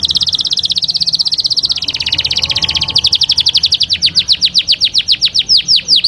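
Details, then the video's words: Singing canary delivers a dense rolling trill that slows into distinct descending whistled strokes, spaced several per second, loud and clear. "استمتع بأجمل تغريدات طيور الكناري"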